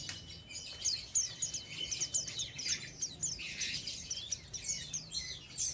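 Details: Oriental white-eye, an untrained bird singing in the ngeriwik style: a dense, rapid stream of high, thin chirps and twittering trills, with a steady faint tone running underneath for the first three seconds.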